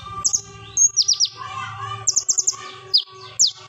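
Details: Sharp, loud plain flowerpecker song played as a training lure; quick clusters of very high, thin downslurred notes, with a low electrical hum underneath.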